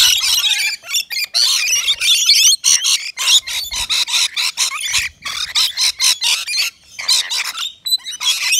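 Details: Several rainbow lorikeets at a balcony feeder with nectar mix give a loud, unbroken jumble of rasping screeches and chattering squawks, overlapping in rapid bursts.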